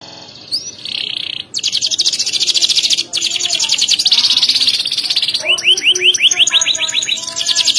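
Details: Competition canary delivering a loud, sharp song with elaborate variations: a short whistled note, then a long, very fast, buzzy high trill, followed by a run of quick rising swept notes repeated several times per second.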